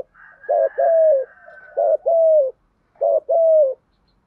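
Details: Spotted dove decoy cooing 'thúc gù' style in steady rhythm: three paired calls, each a short clipped note followed by a longer level-then-falling hoot, roughly every 1.3 seconds.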